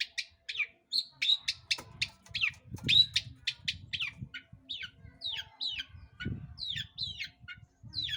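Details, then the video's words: A long-tailed shrike lure song for getting other birds to sing: a lively mix of high chips, squeaky slurs and downward-sweeping notes in quick succession, with a low rumble underneath. "PANCINGAN CENDET GACOR Di Jamin Pasti BUNYI"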